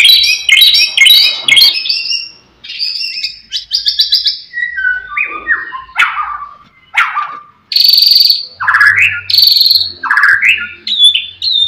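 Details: Energetic white-rumped shama song used to rile rival birds. Fast chattering trills open it, then ringing descending whistles, sharp upslurred notes and clear high whistled tones. A faint low hum sits in the background.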